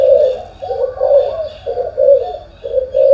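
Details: Spotted dove in the morning giving a regular run of hollow, throaty coos, roughly one each second, each note swelling and fading.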